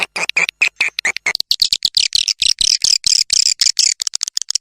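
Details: Swiftlet calls played to attract swiftlets to nest houses: a clean, noise-free run of rapid, dense twittering chirps, about two per second at first, then packed closer together, high and buzzy.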